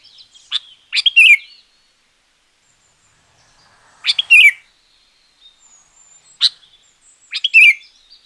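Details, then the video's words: Sooty-headed bulbul song for luring wild birds or training reluctant singers: brisk chirpy phrases, each ending in a falling slur, with a longer pause midway and a quiet background. "Suara Pancingan Burung Kutilang Gacor Juara.Cocok Untuk Masteran Burung Kutilang yang Malas Bunyi."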